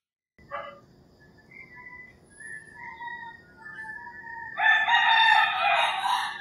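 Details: Rural Philippine dawn with distant roosters giving thin, faraway crows, then a sudden loud, raspy crow bursting in near the end. Quiet countryside ambience fills the pauses.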